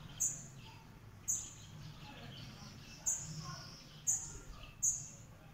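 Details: Northern red bishop (Euplectes franciscanus), call.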